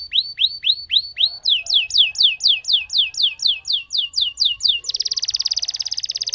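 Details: Lemon canary singing a long roll: curved whistled notes about two per second, then quicker down-slurred notes, breaking into a rich, rapid buzzing trill at the close.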